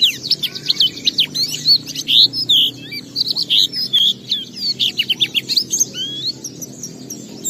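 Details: Lure song of a caged Oriental white-eye used to trigger other white-eyes into singing: dense run of rapid high chirps and whistled slurs in quick bursts, with a low hum underneath.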